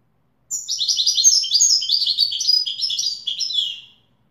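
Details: Widani-style song of a European goldfinch: a dense, fast stream of high tinkling notes and buzzy twitters that runs without a break for three and a half seconds, in a quiet setting.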